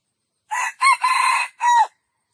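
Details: Crowing junglefowl: four separated parts, from a short harsh note through a quick arched note and a long raspy stretch to a falling last note, in otherwise silent surroundings.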